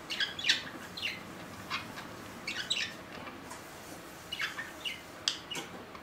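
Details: Domestic budgerigars, four years old: soft, warbling chirps in small clusters about once a second, thin and tinny over a hushed indoor background.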